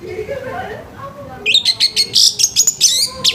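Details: Orange-headed thrush singing harshly in the morning to encourage other thrushes: after a soft lower murmur, a fast rattle of about ten high buzzy notes, some rising, ending in a bright upslurred note.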